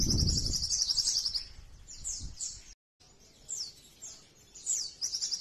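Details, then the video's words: Sogon bird singing a rich 'nembak' song intended for training and luring other birds: a rapid high chattering trill, then a series of high descending whistled slurs, with low rumbling noise at the start. "Masteran SOGON Nembak Isian mewah | cocok untuk pancingan dan masteran Burung SOGON Anda"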